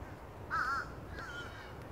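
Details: In the afternoon at Florida Botanical Gardens, one of a large social flock of fish crows high in trees gives a nasal, clipped caw and a fainter second note, the identifying two-note 'uh-uh' call, over light background noise.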